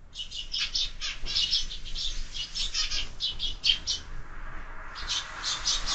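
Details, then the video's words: A busy morning group of sparrows at a window feeder keeps up near-continuous chirping. Quick, clipped tweets tumble over one another, pause briefly, then resume. "Воробьи в кормушке - утро всегда бойкое"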